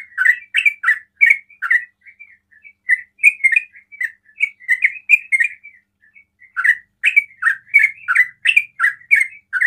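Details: Sooty-headed bulbul said to make other bulbuls call in response: dense clusters of sharp, chirpy slurred notes, a looser middle section of softer phrases, then another quick, energetic series.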